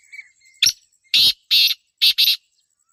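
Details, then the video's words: Black francolin (kala teetar) calling, Pakistan: a faint thin chirp and a sharp click, then four loud harsh grating notes, the last two rushed together in a quick pair, quiet background. "Kala Teetar Ki Awaz/ Black Teetar Voice"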